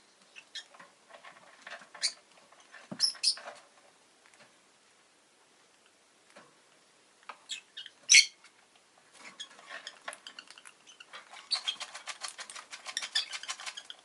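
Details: Pet rosy-faced lovebird giving scattered sharp chirps and squeaks, then a long run of rapid, scratchy chattering toward the end; quiet stretches between bursts.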